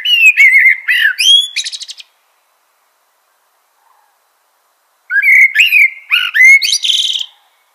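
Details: Common blackbird singing two phrases about three seconds apart, each a low, mellow fluted warble that ends in a high, squeaky twitter, with silence between the phrases.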